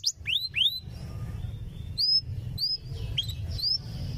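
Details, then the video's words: Canary singing for training young canaries: bright whistled notes that sweep up and curl down, given in loose groups with short pauses, against a faint low hum. "suara masteran kenari paud belajar bunyi langsung respon"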